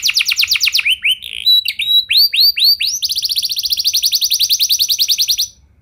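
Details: Canary in continuous song meant to make other canaries join in. Fast trills give way to looping upswept notes, then a long, rapid, even trill that ends abruptly in near silence.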